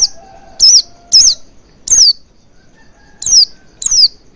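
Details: Oriental white-eye lure sound meant to make the bird sing: high thin notes, some wavering and looping, others falling, given in pairs and singly, with a faint low whistle between them.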